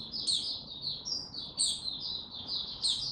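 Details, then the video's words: Recorded 6 March 2022, a male white-eye slowly gaining confidence before opening into song gives a busy stream of high, sibilant twitters punctuated by two or three loud, shrill chips. "Mata Puteh Before he open buka"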